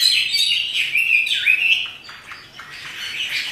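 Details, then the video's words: Pet Chinese hwamei in lively dancing song, starting with loud warbled whistles that swoop down and up, then fading into softer, scattered notes and a rising whistle near the end. "Burung wambi (hwamei) gacor menari"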